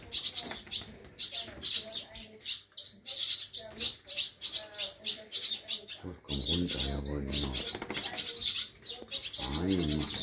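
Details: Fallen swallow chicks in care at Scharzfeld near Herzberg am Harz, nearly ready for release and already flapping well, clamouring at feeding time; a dense stream of piercing chirps, with a human voice talking in the second half.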